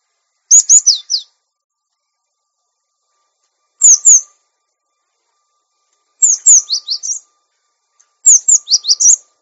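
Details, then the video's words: Training recording of a cinereous tit for untamed caged birds: four separated bursts of bright, high chirping notes, each a quick string of sharp descending whistles, spaced about two to three seconds apart over clean silence. "Masteran Gelatik Batu Bahan Supaya Cepat Bunyi Gacor Dan Jinak"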